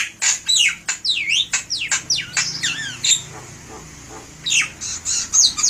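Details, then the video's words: Javan myna singing vigorously, used as a lure: a rapid sequence of loud, whistled V-shaped swoops, falling then rising, about four per second, a short pause, then more sharp high squeaks. "SUARA MERDU BURUNG JALAK KEBO SUPER GACOR"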